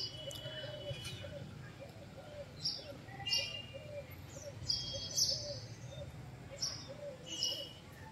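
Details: House Sparrow heard at a bael fruit harvest, a species described as once common but now vanished; scattered high chirps in small bursts, some paired, with steady background music and faint low noise.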